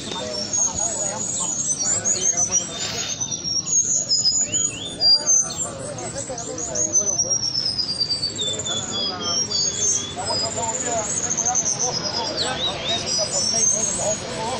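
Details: Cuban bullfinches, known locally as negritos, in Cuba, singing while fighting: many thin, high chirps and short whistled notes crowd together in a busy, overlapping chatter, with several birds calling at once.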